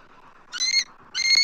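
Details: Adult eagles at a Southwest Florida nest on 12 March 2024, calling as an immature intruder circles the nest tree, recorded by nest camera: two short, high, harmonic notes half a second apart after a quiet start.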